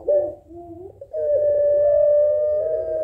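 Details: Barbary dove of the Puter Pelung type calling to a rival. A brief, wavering opening phrase comes first, then a long, loud, sustained coo that carries steadily to the end.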